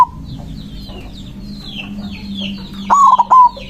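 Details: White zebra dove singing energetically to challenge rivals. The tail of one coo is heard at the start, then a complete stuttered, rolling coo near the end, with scattered high twitters from other birds.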